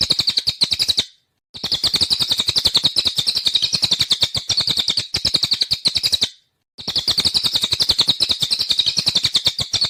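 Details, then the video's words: Cililin (jalilin) singing in the rapid 'nembak' style: a fast, steady stream of sharp high chips, several per second, in long bursts broken by brief abrupt silences; no other clear sounds. "SUARA BURUNG CILILIN /JALILIN NEMBAK"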